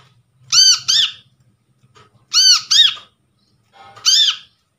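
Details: Brown-throated Sunbird calls recorded from trapped birds for use as a lure. Two pairs of loud, grating arched notes and then a single note, with a faint low hum underneath.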